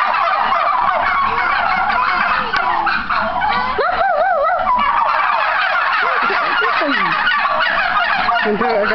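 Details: A flock of turkeys gobbles loudly in response to people, a thick, unbroken wall of rolling, warbling gobbles lasting throughout, with a few louder wavering gobbles standing out midway.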